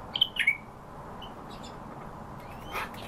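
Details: European bee-eater giving a quick burst of three short, burry, rolled notes at the start, then near silence with a faint thin rising whistle and a soft buzz toward the end.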